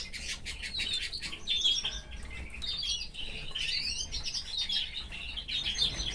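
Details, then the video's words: Pet canary in a cage with its family, giving a busy run of high chirps and quick warbled phrases; several birds may overlap, with a light background hum. "Moments with this gorgeous canary and his family | Canary"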